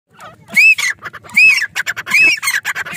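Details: A caged grey francolin calls back and forth with another francolin that appeared nearby, giving loud, shrill, ringing phrases: an arched high note then a rapid string of shorter clipped notes, repeated about every 0.8 seconds.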